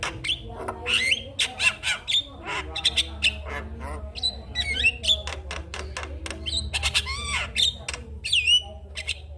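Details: Javan myna song recorded in the morning as a lure to rouse silent mynas into singing: harsh squawks alternate with short clear whistles and sharp clicking bursts, delivered in quick irregular runs with steady low background hum.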